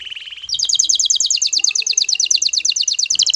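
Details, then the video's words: Excited male canary singing to a female to prompt her into mating posture: a fast, even trill of rapid repeated high notes, opening with a brief lower buzzy roll. "ذكر كناري هائج يجعل أنثي الكناري تأخذ وضعية التلقيح"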